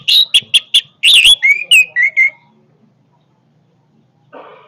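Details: Powerful song of an orange-headed thrush: a quick run of sharp repeated notes, then scratchy and whistled phrases lasting about two seconds, followed by quiet and a soft rustle near the end.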